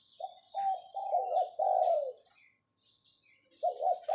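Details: Decoy spotted dove calling in the 'pho pho' style: a quick series of mellow coos ending in a longer drawn-out falling coo, then a pause and a fresh pair. Higher twittering birds sound faintly behind.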